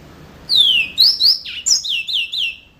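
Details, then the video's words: A yellow-fronted canary sings a short phrase: a clear whistle sliding downward, then a series of high, sweet slurred notes repeated in quick succession. "Mozambik Gacor Full"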